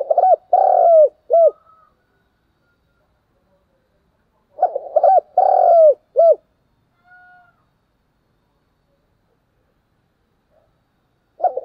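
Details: Spotted dove's fighting call: two phrases of low, throaty coos about four seconds apart, each a quick stuttered burst and a longer hollow note, with a faint note between and a new phrase starting at the end.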